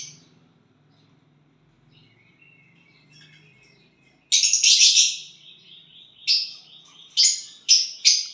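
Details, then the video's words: Violet bird singing when it has a partner: a faint, quiet opening, then a sudden loud buzzy high burst, followed by short scratchy chirps spaced about half a second apart. "violet bird singing and chirping sounds when you get a partner"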